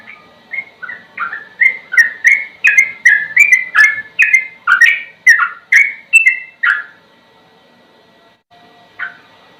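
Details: Sooty-headed bulbul singing ropel-style for birdsong training: an accelerating, ever louder string of varied whistled notes for nearly seven seconds, then silence and a lone closing whistle.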